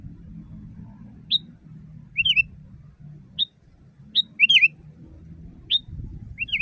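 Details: Sooty-headed bulbul in full natural voice, used as a training recording for caged birds. Short clear whistles and wavering, bubbly two-part phrases repeat irregularly over a steady low hum.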